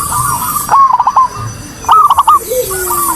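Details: Zebra dove song played as a lure to prompt a reluctant, silent dove on a terrace to sing: two loud phrases, each a rising cooing note followed by a quick stutter of three or four short notes, over a steady high hiss.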